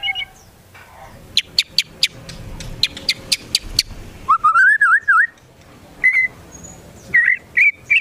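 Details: White-rumped shama song used to provoke rival shamas: scattered sharp clicks, then a wavering, zigzagging mid-pitched whistle and short separate whistled notes with quiet pauses between.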